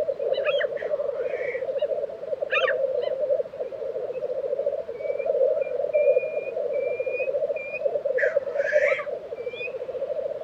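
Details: Black grouse at an April 2023 lek in Tiveden, Sweden: constant bubbling drone, a handful of harsh hissing bursts near the start and end, and a run of short level whistles from another bird in between.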